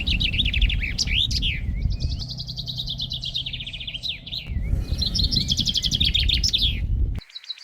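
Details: Male common chaffinch (Fringilla coelebs) singing in spring breeding season to defend territory and attract a mate, its main signal of occupancy. Bright, high phrases of rapid repeated notes run into quick trills and end in a flourish, over a steady low rumble.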